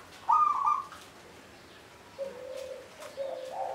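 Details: Local zebra dove singing near the Candi Rimbi temple ruins in Jombang, East Java, Indonesia; a short mid-pitched coo followed by lower drawn-out cooing notes over a steady background hiss.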